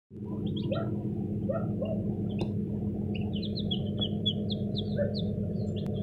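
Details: Newly hatched chicks in an incubator: a chorus of short, high, thin peeps, many sliding downward, scattered irregularly through the clip over a loud, steady low hum.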